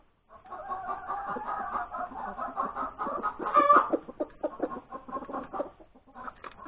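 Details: Long, steady stream of rapid clucking from a hen after laying an egg, broken once by a brief loud squawk and ending in quieter clucks; breakfast time, Sunday, January 31, 2021.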